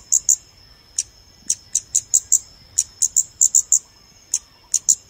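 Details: Scarlet-backed flowerpecker, calling in a recording played to draw birds in for photography: crisp high-pitched tick notes, single or doubled, scattered unevenly, with a steady thin high tone in the background.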